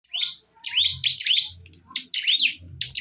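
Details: Bar-winged prinias in a fierce fight: sharp, high chirps that sweep down then up, in bursts broken by short pauses, over low thumping sounds.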